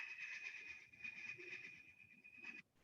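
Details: Northern Flicker giving its call, which is very loud, steady and insistent and similar to a Pileated Woodpecker's: a rapid run of notes on one high pitch for about two and a half seconds, over faint room murmur.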